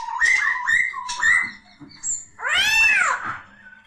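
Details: Several quick looping whistles from a poksay laughingthrush, then a long, harsh, mewing arched note rich in overtones.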